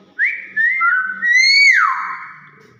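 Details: Captive Nias hill myna gives a chain of whistles: a short rising note, a looping note, then a strong rising note that falls steeply into a long lower tail. A faint low hum runs underneath.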